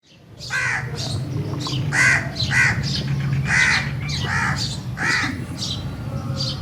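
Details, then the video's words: A crow gives about nine harsh, hoarse caws in quick succession, roughly one every half to one second, over a steady low rumble. "Crows Sound | crows sound effect"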